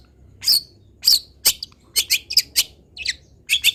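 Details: Long-tailed shrike song played to train other birds: sharp high chirps, first spaced out and then in quicker pairs and clusters, with noisy background hiss and low hum.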